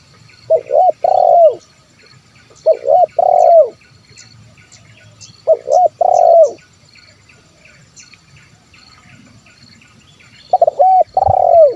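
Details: Zebra dove phrases for luring wild birds: four stuttered, trilling coo sequences, each ending in a long downward-sliding note, spaced about two to four seconds apart with faint background chirps.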